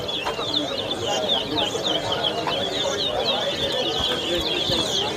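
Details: Towa towa singing at a whistling competition at the Lusignan bird ground in Guyana, 2023: bright, rapid warbled phrases of whistled notes repeated steadily without pause, over crowd murmur and a low hum.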